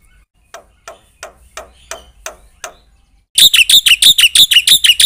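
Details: After a run of soft, distant clicking taps, a Black-winged myna bursts into loud, rapid, ringing high chirps repeated about three per second, part of a vigorous song full of inserted phrases.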